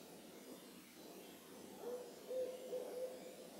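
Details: Owl calling at moonrise near the Carpenter Mountain fire lookout, H.J. Andrews Forest, Oregon, USA: after a quiet start, a run of short, even, mid-pitched toots spaced about a third of a second apart, over a soft steady hiss.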